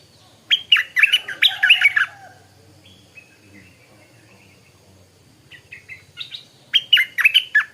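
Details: Young Stripe-throated bulbul kept as a caged decoy sings in the morning. Two rapid bursts of warbled, chirping notes come several seconds apart, with softer scattered calls between them.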